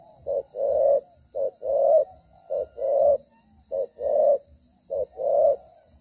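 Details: Spotted dove decoy cooing during trapping while moving and fighting; five evenly spaced pairs of low coos, each a short note then a longer swelling one, with faint low thumps and a thin high hiss.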